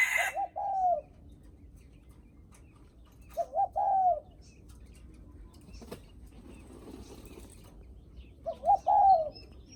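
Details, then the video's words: Spotted dove's guest-greeting coo: three mellow phrases at uneven intervals, each a quick double note leading into a drawn-out descending coo, with quiet gaps between. "Tiếng Chim Cu gáy khách có khách đến nhà là gù cực chất cu gáy chào khách"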